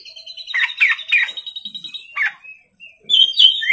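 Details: Lure recording of an Oriental magpie-robin (kacer) singing gacor at night: a sustained high whistle under rapid scratchy bursts, a short lull, then loud, bright rising whistled notes.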